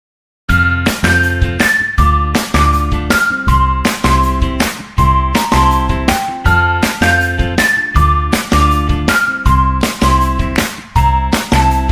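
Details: Steady, bright instrumental music with a regular beat and a simple melody; no animal voice can be picked out.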